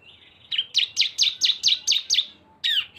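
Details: Cisem, two birds combined in a lively lure recording: a fast series of eight sharp, downslurred chirps in quick succession after a thin, high whistle, then one longer slurred note.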